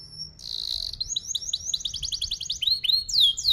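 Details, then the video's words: Canary song used as a lure to teach young canaries, with long tight rolls and 'cuit cuit' notes: a brief buzzy note, then a rapid run of high, sharply down-slurred chips that become sweeping upward whistles. "KENARI GACOR PANJANG Rol Rapat EMOSI Cuit cuit Ngerol AMPUH utk Pancingan kenari paud belajar bunyi"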